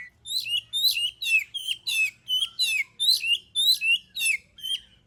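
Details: Oriental magpie-robin singing in full voice, used as a lure to provoke other birds into singing: a fast series of about ten sharp, buzzy, downslurred notes, evenly repeated roughly twice a second, with a faint low hum behind.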